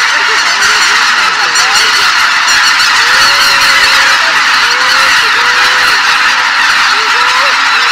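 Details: A large flock of Greater White-fronted Geese taking off together from a marsh at sunrise: a dense clamor of overlapping high, yelping honks with a rushing roar of wings.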